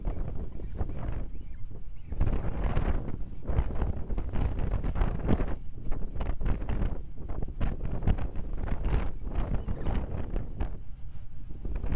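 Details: Wind gusts buffet the microphone throughout in dense low rumbling bursts, with no animal calls heard.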